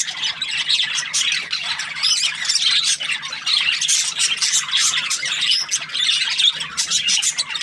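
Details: Steady, lively budgie chatter: a continuous run of high, rasping chirps and thin whistles. The bird is described as happy.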